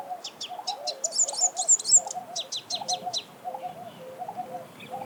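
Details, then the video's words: Sunbird song in natural habitat, a lively run of very high, sharp chirps and glittering twitters, while a lower, softer warbled phrase repeats steadily below throughout. "Sunbird Singing Sounds"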